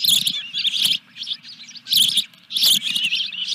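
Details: Dunrovin Ranch ospreys on 14 July 2021 with a fish delivered to the nest: three dense bursts of harsh, high chirping, each under a second long, separated by brief quieter gaps.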